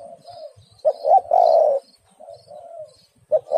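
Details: Female spotted dove calling a male, used as a lure: soft coos give way to a loud phrase of two short notes and a long falling coo, then gentler coos and a fresh phrase beginning.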